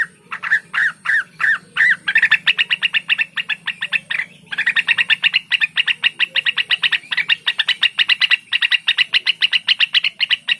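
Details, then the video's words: Blue-winged leafbird, called cucak wilis, singing a few slurred notes that burst into a long, rapid, dry chatter of clicking notes. The chatter runs almost without pause, over a faint low hum. "suara burung cucak Wilis"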